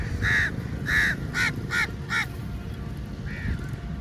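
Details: Crows swarming food at feeding time: two long, drawn-out harsh caws followed by three shorter, quicker caws and one fainter distant caw, with low ambient rumble underneath.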